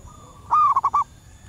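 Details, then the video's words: Female zebra dove heard in the wild, her call luring males: one loud rising coo dropping into a quick run of three or four pulsed notes, preceded by a softer coo from another dove. "Suara perkutut alam liar pikat burung sekampung nyaut penuh emosi"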